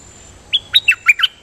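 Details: Kept Dok Taeng bird singing as a decoy with doubled notes: a quick run of five bright descending chirps in just under a second, clean and loud over a quiet background.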